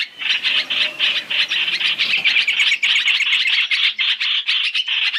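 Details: Three-in-one trapping lure of masked laughingthrush (trao trảo): continuous scratchy chatter from several voices, rapid squawking notes pulsing about four times a second, building denser and more jumbled toward the end.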